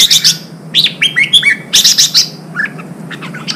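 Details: Red-whiskered bulbul vocalizing to excite wild-caught birds into fighting and sharpen their singing: loud scratchy bursts alternating with ringing whistled notes that drop in pitch, then softer chirps toward the end.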